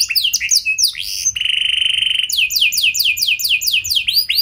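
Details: Canary lure song in 'cengkok mewah' style to draw replies from other canaries. It opens with varied swooping whistles, then a sustained buzzy rattle, then a fast series of arched, downward-slurred notes repeated about six per second.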